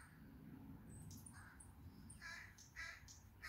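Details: Evening bird chorus: hoarse, harsh calls repeated irregularly alongside thin high chirps, over a constant low rumble of background noise.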